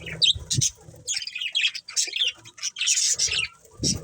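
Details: Budgerigars kept as a family chirping: varied short whistled and buzzy chirps, some rising, mixed with scratchy warbles and a few soft thumps.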